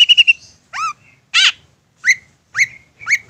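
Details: Long-tailed shrike giving part of a provoking song: a quick trill of four notes, a rising harmonic-rich whistle, a harsh burst, then three rising upslurred whistles spaced about half a second apart.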